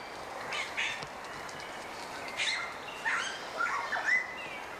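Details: Male Montserrat oriole, a bird found only on Montserrat in the Lesser Antilles with under 1000 birds, giving scattered short notes, some buzzy and some clear, whistled and rising, in about five bursts over a steady background hiss.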